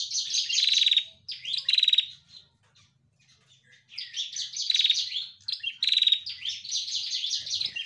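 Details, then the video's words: Lively female bar-winged prinia giving fast, high twittering chirps interspersed with short rasping buzzes; a quiet gap of nearly two seconds splits the calling into two bouts, and the background stays clean. "Masteran Prenjak Betina Gacor Untuk Pancing Bunyi"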